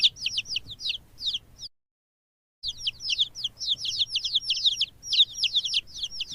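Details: Chicks cheeping busily: overlapping high, thin, falling peeps in dense bursts, a one-second pause, then faster, louder peeping that carries on to the end.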